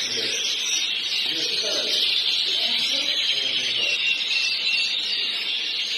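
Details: Canaries, described as Yorkshire canaries recorded in Alexandroupoli in 2016, sing a continuous, high, rolling warble of fast trills that never pauses; faint low murmurs underneath. Identified as Belgian canary.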